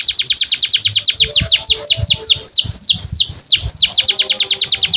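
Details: Domestic canary's long tutor song for young birds: an unbroken run of sharp downward sweeps, quickening and slowing in rolling waves at roughly three notes a second.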